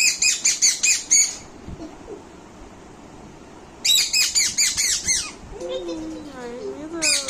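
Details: Angry baby Indian ringneck parrot scolds in bursts of quick, grating squawks, pausing silently between them, then slides into wavering, looping whistles before another harsh burst at the close.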